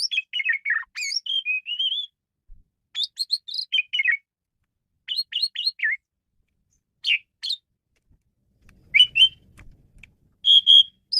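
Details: Male Asian pied starling with a varied song meant to lure and train birds: tumbling chirps and falling warbles, a long wavering whistle, then spaced bursts of sharp chirps and a final loud whistled note, with a brief rustle.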